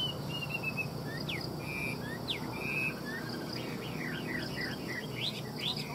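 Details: Caged Chinese hwamei from a Vietnamese bird seller, giving scattered short whistles, then a burst of rapid rising sweeps near the end, over a constant low hum.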